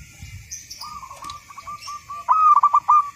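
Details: Local zebra dove, a frequent singer, recorded as a training master: soft level notes, then a loud quavering cooing phrase of quick bubbling pulses near the end.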